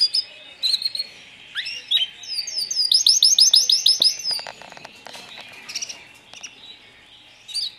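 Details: Newly arrived white foreign canary chicks: a jumble of thin, high chirps and short sweeping notes, then a fast run of about ten bright, evenly spaced rising tweets in the middle, with scattered clicks and faint peeps after.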